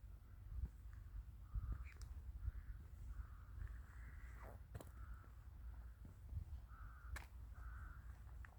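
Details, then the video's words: Several crows in a wintry village give short hoarse caws at irregular intervals, some in quick pairs, with scattered clicks and a constant low background rumble. "Beautiful winter nature and the sound of crows"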